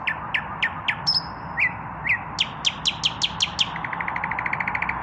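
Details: Common nightingale male, still without a female, singing at evening: a series of sharp downward-sweeping notes about three per second, a held whistle, then a fast even trill, over steady hum.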